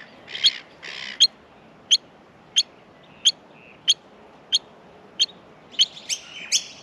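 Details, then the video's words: Australian miner nestlings during feeding give two rough, hissy bursts, then a regular series of sharp high chips, with harsher squawks at the end. "Australian Minor baby birds in the nest feeding"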